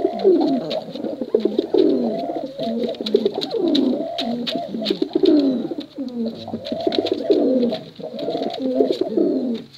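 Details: Male and female contest pigeons keep up a dense, continuous stream of overlapping low coos, rumbling and warbling, over light clicking sounds.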